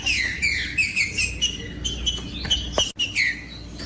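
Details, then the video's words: Green-winged saltator singing, played to warm up and stimulate other saltators to sing: a series of clear whistled notes, several falling or slurred downward, repeated in quick succession with a short pause near the end. "COM TRINCA FERRO CANTANDO"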